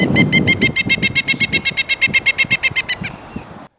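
A Pileated Woodpecker gives a loud, ringing series of about twenty even wuk notes, roughly six per second, over faint low background noise.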